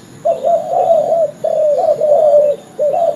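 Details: Wild male spotted dove calling to its companions, recorded as a trapping lure. Three long, throaty rolling coo phrases with short gaps between them, low and hollow in tone, over a faint constant high hum.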